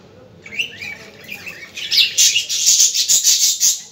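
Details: Budgerigar sounds for stimulating budgies: a few thin rising chirps at first, then a loud, dense burst of rapid scratchy chatter that pulses several times per second.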